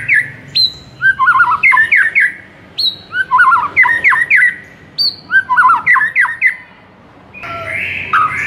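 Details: White-rumped shama master song used to train a silent bird, with bursts of rich whistled and warbled phrases separated by short pauses, each burst starting with a high thin note, and a harsher rasping passage near the end.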